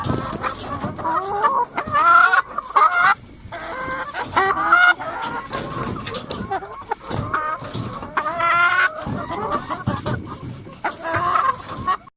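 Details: A crowd of hens in a coop: repeated loud, harsh drawn-out squawks every second or two, overlapping with clucks and quavering cackles from other birds, over a continuous high-pitched hum.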